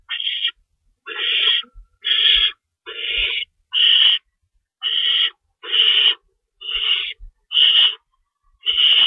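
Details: Nest of owls at feeding time, 3:53 AM, March 25, 2012, with two rabbits in the pantry. Around ten hoarse, hissing screams, each under a second, are separated by short silences.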